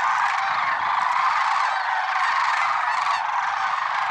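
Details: At Merced National Wildlife Refuge on February 6, 2023, early morning, a mass of lesser sandhill cranes gives overlapping purring, bugling calls that blend into a constant, even wall of sound.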